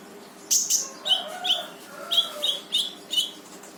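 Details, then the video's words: Brown-throated sunbird in full vigorous 'gacor' rapid-fire song, used to prompt a silent sunbird to answer: sharp high chirps and short whistled notes, irregular, roughly one every second or two, some faint lower warbles between. "KONIN GACOR FULL TEMBAKAN || UNTUK MANCING KONIN MALES BUNYI LANGSUNG IKUT BUNYI"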